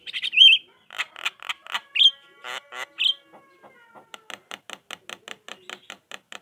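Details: [['Rasping Javan myna notes with a few twisting whistles, followed by an evenly spaced series of dry clicks; the chatter is used to coax quiet mynas into answering.']]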